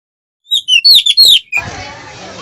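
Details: Captive Oriental magpie-robin in breeding condition, singing rough song material meant to provoke rival birds: a short run of loud, clear whistled notes, some rising and falling, ending abruptly into a soft hiss of background noise.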